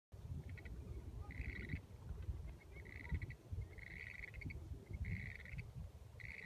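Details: Western grebes on San Francisco Bay in 2015 give grating, rattly two-part calls, repeated about once a second and overlapping, over a steady low rumble of wind or water.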